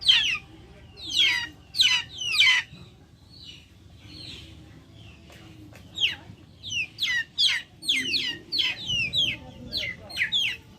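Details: Backyard chickens peep in bursts: three loud falling calls, a quiet pause with soft notes, then a quickening run of high chirps near the end.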